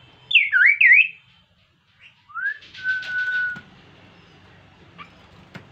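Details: Insect-eating Kaso-kaso bird singing lively lure song for other birds: two loud looping whistles, a pause, then a rising whistle into a long steady tone over faint buzzy notes, with a few clicks.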